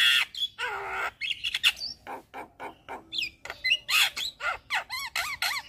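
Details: Javan myna in vigorous full song, used as a tutor and lure for all kinds of mynas: harsh squawks and buzzy bursts alternating with short rising whistles, delivered in rapid uneven pulses.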